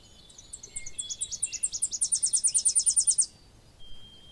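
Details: Tennessee warbler song: spaced high chips speed up into a loud, even, very rapid trill lasting over a second, then end suddenly, leaving a faint thin whistle.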